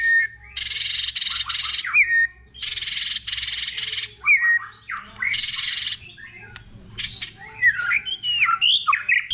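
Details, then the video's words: White-rumped shama in a many-voiced performance for provoking rivals: three long rasping harsh bursts, each about a second, broken by brief whistled upslurs, then a run of mixed whistled notes. "Chòe lửa hót nhiều giọng"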